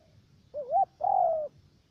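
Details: Cà Mau spotted dove working as a trapping decoy in the U Minh area of Vietnam. One clear phrase: a rising, wavy short coo, then a longer, steady coo that slowly slides lower.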